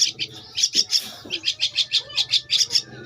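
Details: Begging Javan myna nestling, aged two weeks, being fed: an almost continuous train of shrill, raspy chirps about five per second, with soft handling noises underneath.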